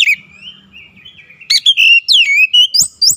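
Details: Oriental magpie-robin (kacer) showing off its isian song: a soft, thin sustained whistle first, then from midway a loud burst of sharp, rising and falling whistled notes with a few clicks.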